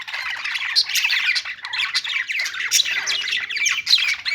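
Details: Dense, loud budgie chatter of trilling, buzzy warbles and squeaky chirps running without pause.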